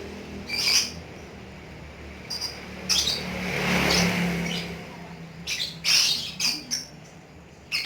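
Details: Pet lovebird in ngekek style, giving scattered short, high chirps and squawks at irregular moments over a steady low hum and a broad noisy swell midway.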